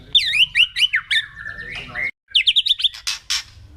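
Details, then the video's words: White-rumped shama kretekan song played to provoke other birds into agitation; bright slurred whistles rising and falling in quick succession, a brief gap, then a fast burst of sharp notes ending in harsh rasping bursts. "KRETEKAN MURAI BATU LANGSUNG AUTO EMOSI"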